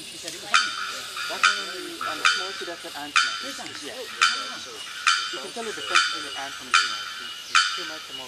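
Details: Bearded bellbird at Asa Wright Nature Centre, Trinidad, giving loud, explosive, clanging "bock" notes, one nearly every second, over the murmur of people talking.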